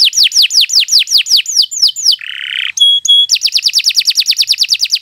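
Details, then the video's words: Canary song for training other birds, long and lively: rapid series of downslurred whistled notes repeated in quick runs, a harsh buzzy burst, two pure steady tones, then a fast even trill of sharp notes. "Kicau Burung Kenari II GACOR PANJANG Cocok untuk Masteran"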